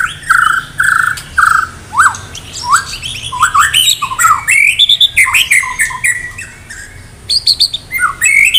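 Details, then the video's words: Contest-ready White-rumped shama from Medan singing vigorously with mimicked fill-in phrases: three steady whistled notes, then a fast jumble of upslurred whistles, chatters and sharp high chips, loud and nearly continuous, ending in short rising whistles. "murai batu medan gacor siap ikut lomba || murai batu gacor full isian"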